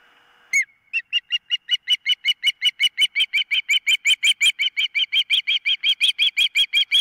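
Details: Nest-camera recording of an osprey at the nest, 4 September 2023: after a short tone and one sharp note, a fast, very regular train of clipped whistled chirps runs almost three per second.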